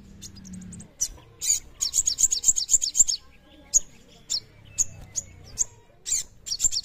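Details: Crimson sunbird (sogon) in full song: rapid bursts of piercing high chirps and trills, with runs of quick repeated notes broken by short pauses and a faint low hum at the start.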